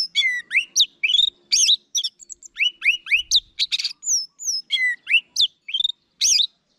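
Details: Orange-headed thrush in full, rapid song, a lure recording for kept thrushes: a dense string of varied whistled notes, upslurs, downslurs and buzzy clicks poured out almost without pause, clean and loud.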